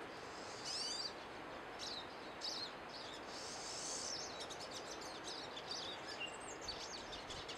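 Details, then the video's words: Pine siskins twittering in a busy chorus, high thin chirps with rising buzzy notes scattered throughout, over a steady hiss of outdoor background noise. "Pine siskins singing"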